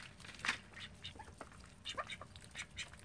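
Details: Call ducks from a home flock of thirteen: a loud harsh quack near the start, then a run of brief nasal quacks and squawky notes at uneven intervals.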